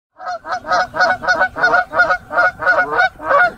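A goose gives a rapid run of about ten harsh, nasal honks, roughly three a second, each loud and clipped with a brassy edge.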